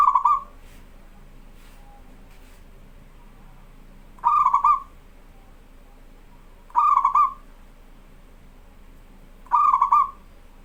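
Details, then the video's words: Strongly singing local zebra dove, recorded to teach young birds: four short cooing phrases come steadily every two and a half to three seconds, each a burst of rapid soft notes ending in a brief trailing coo. "BURUNG PERKUTUT LOKAL GACOR SUARA AMPUH"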